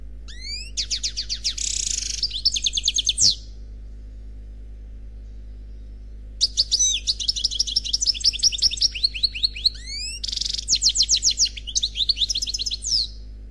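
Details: Khalwi-style song of a single, unpaired goldfinch: rapid, high twittering phrases with rising sweeps, buzzy trills and quick repeated chirps, in two long bursts separated by a few seconds of silence, steady low hum beneath.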